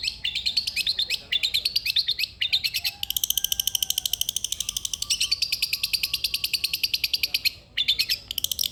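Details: Long-tailed shrike singing vigorously, a recording meant to prompt a lazy shrike to sing: fast, high, buzzy trills of repeated notes, shifting in pitch and speed and broken by short pauses, with a long, dense, even rattle in the middle.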